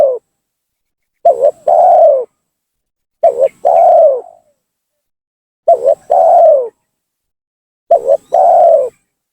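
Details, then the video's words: Spotted dove lure calling to force rivals down: five evenly spaced phrases, each a brief double coo then a sustained, slightly falling coo, repeating roughly every two seconds. "suara pancingan gacor tekukur memaksa menurunkan lawan,bikin emosi lawan."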